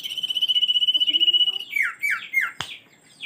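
A common iora holds a long, high, rapidly trembling trill for over a second, then gives three or four quick downslurred whistles. A sharp click breaks in near the end.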